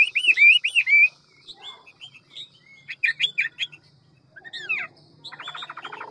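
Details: Hwamei singing fast and many-voiced in the wild-forest style; a quick burst of looping whistles, then scattered sharp chips and slurs, ending with a dense rattling buzz.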